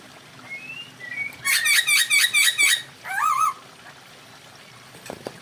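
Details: Masked laughingthrush mating call meant to boost breeding drive: a short burst of six rapid harsh squawks, then a wavering lower note, with a few faint thin whistles before it.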